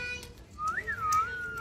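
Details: Cockatiel kept as a pet singing the Cookie Song tune: one smooth whistle that rises to a peak, falls and then holds a steady tone, with faint soft background sounds.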